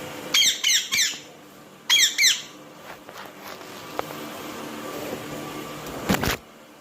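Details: Pet parrot attacking the camera: two bursts of harsh, harmonic squawks in the first two seconds, then quiet room noise, a faint click and a brief thump near the end.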